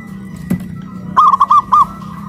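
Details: A single loud phrase of four or five rolling, mellow coos from a caged local zebra dove raised on a pole in Kuningan, West Java, Indonesia, after a faint click.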